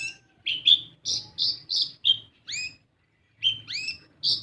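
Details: Kolibri ninja, or olive-backed sunbird, lure song to get untrained birds singing: a burst of high buzzy and swooping chirps, a short silent gap, then a few more rising notes, over a low faint hum.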